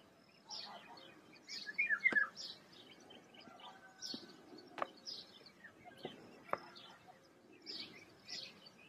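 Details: Birds singing in a forest: scattered short high chirps and twittering notes from several birds, a brief burst of quick rising-falling notes near the start, with a low environmental hum underneath.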